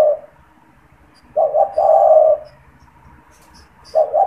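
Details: Spotted dove calling in a cage, kept to lure and stimulate wild doves. A coo ends at the start, then one full phrase follows: two quick hoots and a steady low throaty coo. Another phrase begins at the end.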